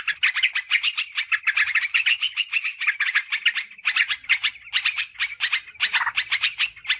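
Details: Sooty-headed bulbul calling for luring wild birds in forest and garden: a dense, fast stream of chirpy, chattering notes, nearly continuous for seven seconds with only tiny breaks.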